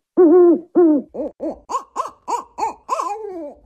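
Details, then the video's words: African wood owl calling: two low, wavering hoots, then a quick series of about seven short hoots that rise and fall, ending in a longer note that slides downward. No other sounds. "African Wood-Owl Call"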